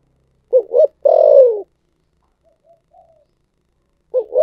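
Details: Thổ sấm style cooing of a spotted dove: two short hoots and a long, loud, downward-sliding coo, then faint murmured notes and the next phrase beginning with two more hoots.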